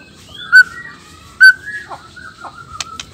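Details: Male black-tailed white-rumped shama from Nias, whose song is meant to rouse rival males; two sharp bright notes between long level whistles with falling slurs, fairly quiet background.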